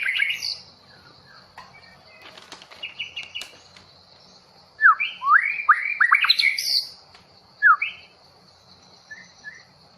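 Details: Long-tailed white-rumped shama of the Bahorok type, newly taken from the forest: bursts of rich, loud whistled notes and quick sweeping slurred phrases mid-way, scattered short chirps earlier, a steady high insect-like hum throughout.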